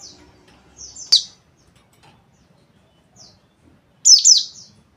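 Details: White-eye singing in the rough twittering style called ngeriwik kasar: thin, very high chirps and slurred notes, a loud sharp note near the start, then a pause and a vigorous double burst of twittering near the end.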